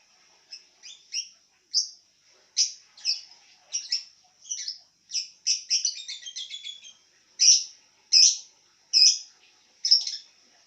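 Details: Lovebird calling while lying down: shrill, high chirps and squeaky chatters in irregular bursts, some in quick rattling runs, others single sharp notes about a second apart, in a quiet room.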